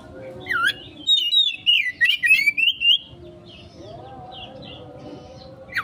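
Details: Kacer (Oriental magpie-robin) konslet-style lure song: a swooping note, then a dense string of loud, twisting whistled phrases, followed by a quieter gap with a low tonal drone and a brief whistle at the end.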